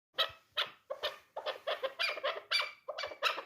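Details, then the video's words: Three-year-old hunting chukar partridge described as a dulan bird, giving harsh, broadband clucking notes repeated roughly every half second, steady and loud throughout. "Кабки дулан"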